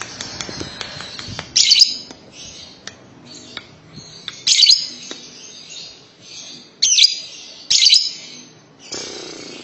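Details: Lovebird giving a long trill, the style called ngekek panjang: harsh, high chirping bursts repeated every few seconds, with thin scratchy chatter between them.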